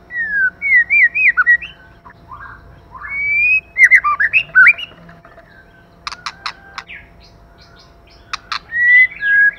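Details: Male and female White-rumped shama singing: wavering fluted whistles and slurred phrases in bursts, a quiet gap, then sharp clicking notes and further rich whistled phrases, with low background rumble.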